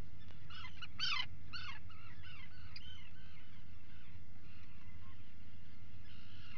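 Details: Atlantic puffins feeding at breakfast in their burrow, early morning 28 June 2019; a run of strong harmonic calls near the start gives way to quieter falling notes, with low background rumble throughout.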